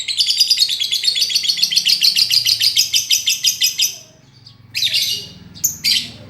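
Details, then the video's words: Lovebird master song for a bird that has gone silent: a fast, even trill of rapid chips for about four seconds, then a short pause and a few harsh squawks. "Master untuk lovebird yang macet bunyi"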